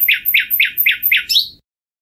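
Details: Common nightingale repeating one loud, down-slurred chirp five times at an even, quick pace, finished by a higher rising flourish.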